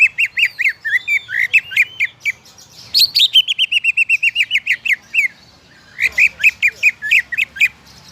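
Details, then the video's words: Greater green leafbird singing to trigger other leafbirds to sing, delivering rapid runs of bright, repeated chirps, a brief pause, then a dense chattering stretch of clipped notes, and another burst of sharp tweets. "PANCINGAN CUCAK IJO AGAR CUCAK IJO LAIN CEPAT GACOR"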